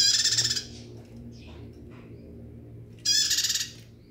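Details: Two rasping, rapidly pulsed bursts from a bar-winged prinia singing vigorously, about three seconds apart, with soft faint chirps between and a low background hum.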